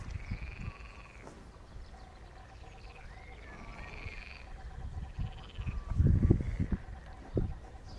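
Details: Common kestrel chicks being fed give drawn-out, whining whistles, rising then levelling, about once a second, over low thumping and rustling bumps.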